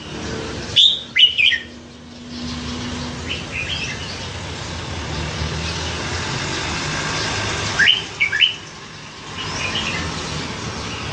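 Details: Caged red-whiskered bulbul with a reputation for a hundred voices, raised nine months after capture by a canal; two short whistled phrases near the start and end, separated by a long stretch of hissy background and distant low hum.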